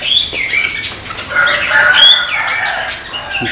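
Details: A trained pet Chinese hwamei, released from its cage and flying back in, pours out a rich, varied run of loud whistled notes sliding up and down, with fluttering wing noise and people talking.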